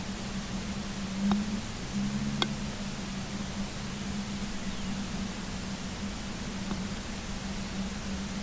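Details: Steady hiss and a low electrical hum, with a few faint clicks and no animal calls.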